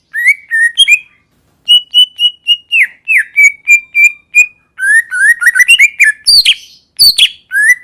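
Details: Greater green leafbird pouring out a varied song: whistled slurs, a string of steady repeated notes, then busy warbling chirps and a couple of harsh, sharp squeaks near the end.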